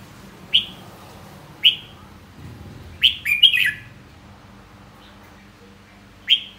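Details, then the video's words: Single sharp whistled notes from a red-whiskered bulbul spaced about a second apart, with one fuller warbled phrase in the middle of the sequence. "Giọng hót chào mào"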